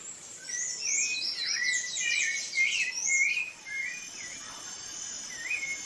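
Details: Rufous-bellied thrush in Brazil delivers varied whistled phrases with slurred, warbling notes. Higher thin notes overlap in the first half, then a few softer, spaced phrases follow.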